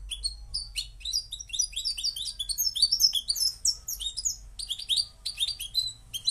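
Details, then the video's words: A Moroccan goldfinch sings a lively sequence of clear, upslurred chirps and quick trills that speeds into dense twittering, then breaks into short phrases. A faint hum lies beneath. "jilguero marroquí"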